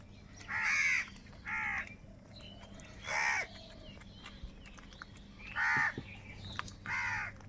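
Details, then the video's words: Harsh, nasal crow caws from birds fighting over food, given singly or in pairs with long pauses of one to two seconds, over a steady low hum. "Crow Sound of Kaka | Clear Crystal Crow Bird Crowing Sounds | Crow Bird live Crowing Sounds"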